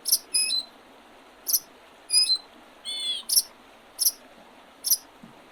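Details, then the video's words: Early spring birds on 8 April 2023 beside the Oredezh River, Leningrad Region, Russia. Short high chirps and doubled notes come every half second, with one lower warbled phrase midway, over a steady hiss. "Весеннее пение птиц"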